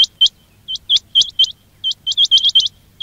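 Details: Loud, close quail calls for trapping use: bright, sharply rising chip notes, singly and in pairs, with a fast cluster of five near the end.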